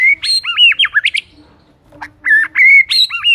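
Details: White-rumped shama song used as a lure to prompt silent shamas to sing: loud, varied whistled phrases with quick up-and-down slurs, a short pause mid-way, then more ringing looping whistles.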